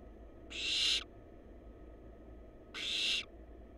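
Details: Two loud, scratchy hisses from wild barn owl chicks at their nest box, roughly two seconds apart, each a half-second burst of harsh noise above a low constant hum.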